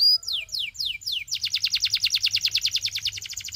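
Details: Canary singing a few long, falling whistled slurs, then switching to a fast, even, high rolling trill that continues to the end.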